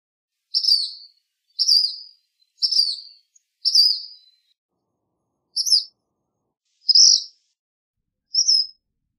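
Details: A black phoebe gives seven sharp, high, buzzy notes. The first four come in a quick, steady series about a second apart, then three shorter, slightly varied notes follow at wider gaps. No background noise.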